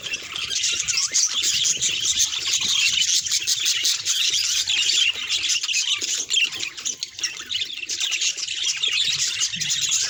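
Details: Group of pet budgerigars, calls said to show how the birds feel: ten seconds of nonstop squawky, scratchy chatter and chirps from many birds, dense and high-pitched throughout.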